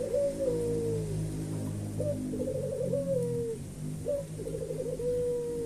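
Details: Busy cooing from a white dove: three phrases in quick succession, each a sharp short note, a fluttering trill, then a drawn-out falling tone, over steady low hum.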